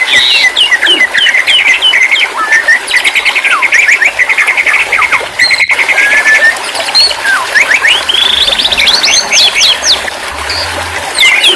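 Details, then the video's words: White-rumped shama (murai batu) song meant to help a stressed bird start singing again: an unbroken stream of bright whistles, rapid trills and sharp up-sweeping notes, with steep rising runs near the end. "terapi burung murai batu stress/ macet bunyi auto bunyi kembali"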